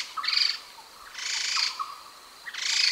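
Grey-headed laughingthrush giving three harsh, raspy, high-pitched bursts, each about half a second long, roughly one second apart; nothing else is heard.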